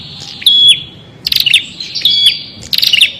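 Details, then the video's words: Brief prinia phrases: a thin whistle, then sharp buzzy chirps, repeated several times in quick succession. "SUARA BURUNG PRENJAK"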